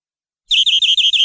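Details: Canary long song for tutoring young birds: after brief silence, a short rolling trill of evenly repeated whistled notes, about six per half second.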